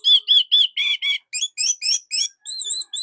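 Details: Short song of an orange-headed thrush, kept as a master for training other thrushes; rapid run of about ten clear, slightly harsh whistled notes, the first ones quick and even, the later ones rising and more slurred.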